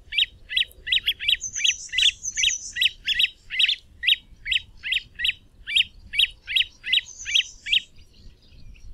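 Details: Great crested grebe calling in a steady run of short, bright chirped notes, roughly two and a half each second, with occasional thin high squeals overlaid and little other sound.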